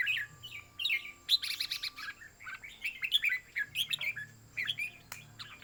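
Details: Competition singing by red-whiskered bulbuls, song notes being counted: repeated short liquid whistled phrases with quick slurs, overlapping birds and steady low hum behind.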